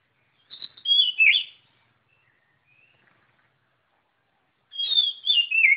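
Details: White-rumped shama song in two loud phrases separated by a quiet gap, each a quick tumble of bright, slurred whistles sliding downward, with faint soft notes between.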